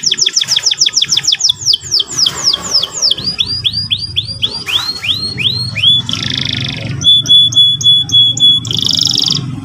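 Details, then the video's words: Canary song in the morning, ngeriwik and ngerol style. Rapid repeated down-slurred notes are followed by slower swooping whistles, then short buzzy rattles and a clipped, evenly spaced series of pure ticking notes. "pancingan burung kenari pagi hari terapi paud cepat bunyi ngeriwik ngerol"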